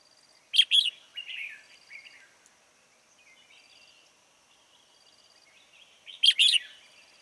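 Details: Red-whiskered bulbul used as a lure bird for trapping, late afternoon, 16 March 2020: two loud bursts of bright, chirpy whistled notes near the start and end, with softer warbling phrases between and faint background chirps.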